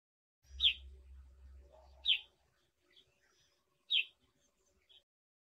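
Brown Shrike giving three sharp, harsh chack notes about every one and a half seconds, with a low rumble of background noise early on.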